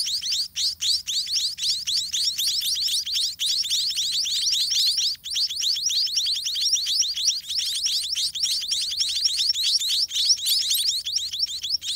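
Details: Young white-rumped munias in a nest beg noisily while parent birds feed them: a long, relentless stream of high, sharply descending chirps, densely overlapping and unbroken.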